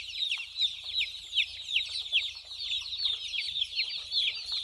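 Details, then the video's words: Small chicks running and drinking water, many voices chirping at once: shrill, brief falling peeps crowded together, about two to three per second standing out from a steady high chorus. "Baby chicks Running, chicks chirping sound, small chicks voice"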